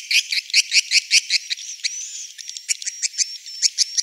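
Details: Swiftlet roosting call, a recording played to draw swiftlets into a three-storey building to roost. Rapid, fairly regular high chirps, about two or three a second, with a thin sliding whistle running through the middle.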